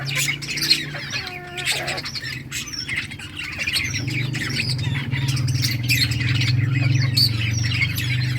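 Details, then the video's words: Budgerigars in summer breeding season, August 23, 2023, playing and chirping together: dense overlapping high chirps and warbles over a steady low mechanical hum, with a few wing flutters. "budgies beautiful colors playing and chirping budgies breeding progress in summer"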